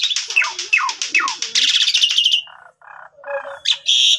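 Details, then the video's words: Varied, lively song of an Asian pied starling used to train young starlings, recorded on Chinese New Year; dense downslurred whistles and chattering trills, then short nasal buzzy notes and a final harsh squeal. "Pancingan Jalak Suren Gacor Full Isian Mompa Variasi Bagus"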